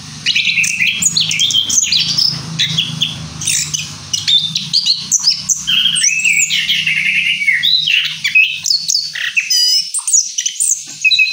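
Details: Orange-headed thrush in rolling song after moult: a long, unbroken flow of varied high chirps, trills and slurred whistles, with a steady low hum in the background.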